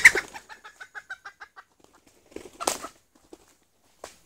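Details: Red junglefowl hen serving as a lure bird: a quick even series of about ten short clucks fading away, then a louder harsh double cluck and a last soft note.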